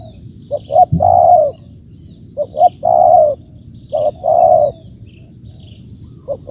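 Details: Spotted dove giving repeated coo phrases: two quick short coos then a long drawn-out coo, three times, close and clear over a quiet background.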